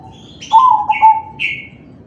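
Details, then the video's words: Zebra dove, crossing type, cooing in kalung tempuk style to prompt other doves: a single soft, quavering coo phrase trailing into a level tone, overlapped by higher buzzy chirps from other birds. "Suara perkutut crossing manggung || Perkutut crossing kalung tempuk || Pancingan perkutut lain"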